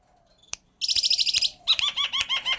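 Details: A common myna gives a rapid run of harsh, high chattering notes, then a series of quick looping whistles and gurgles at about five per second.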